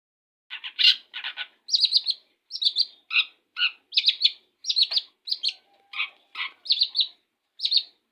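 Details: Long-tailed shrike singing right after its morning bath: a lively series of varied chattering and whistled notes, a few harsh bursts, then bright two-part phrases repeated about twice a second, with no other sounds behind.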